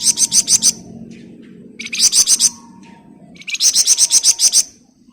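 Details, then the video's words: ["A flamboyan bird sings hard in tight 'ngebren rapat' rattles: three runs of loud, high, buzzy pulses, five to nine fast beats each, about a second and a half apart, over a soft steady murmur."] "Burung Flamboyan Gacor Ngebren Rapat"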